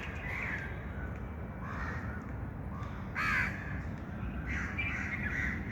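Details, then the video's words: A crowd of birds chirping at once, with rough mid-pitched calls overlapping. One loud, sharp call stands out near the middle, and a constant low background rumble runs underneath. "birds chirping sound"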